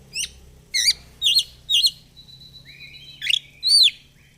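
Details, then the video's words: Singing oriental magpie-robin, ngobra fighter style: clipped twisting chirps repeated about twice a second, then a long level whistle gliding into a lower note and a few sharp rising flourishes. "Kacer gacor fighter//ngobra Joss//terapi untuk Kacer susah bunyi"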